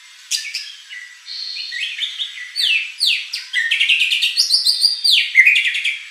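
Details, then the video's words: A White-rumped shama pours out a rich, fast song of varied whistles, slurred rising and falling notes and sharp chattering trills, several phrases a second. "shama bird beautiful song performance"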